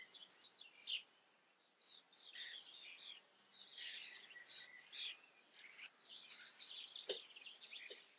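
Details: Faint, rambling common starling song of jumbled high chirps, rattles and squeaks in near-continuous phrases, with a soft knock near the end.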